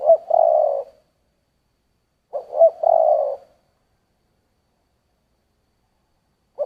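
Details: Spotted dove cooing in the giọng thổ style: two loud phrases, each a quick double note into a long coo, separated by a pause of over a second, then a final starting note.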